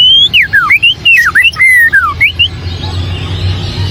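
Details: White-rumped shama in the forest singing a fast run of clear whistled notes that swoop down and up in varied loops for about two and a half seconds, then falling quiet over low background hum.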